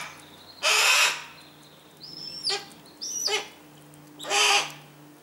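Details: Captive Harris's hawks tending their babies give harsh grating screams, with high whistled notes that drop sharply between them, five calls in all.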